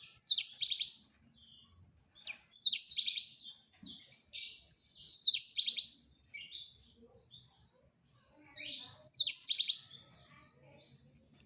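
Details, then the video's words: Courting male black-throated canary directed at a female, repeating short bright trilled bursts roughly every two seconds, interspersed with softer chips and pauses. "Ocehan Blacstroat Male merayu Burung Female"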